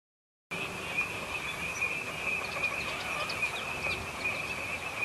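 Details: Eurasian teal flock invading EVOA in winter 2012/13. After a brief silence, many birds give high, clipped whistles that blend into an unbroken chorus, with scattered brighter notes standing out above the mass.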